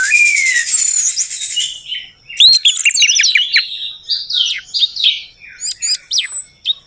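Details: Orange-headed thrush song used as a lure to get a silent bird singing: buzzy rattle with slurred whistles, then rapid varied chips and twisting notes repeated quickly, and high thin whistles near the end.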